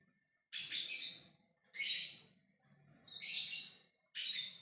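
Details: Four loud, raspy screeches, each lasting about half a second to a second, come from a lovebird calling its companions with ngekek chatter.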